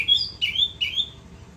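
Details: Anis kembang, orange-headed thrush, giving three rising whistled phrases in quick succession, each a clear upward-sliding note about every 0.4 seconds, high and pure, from its continuous ngerol singing.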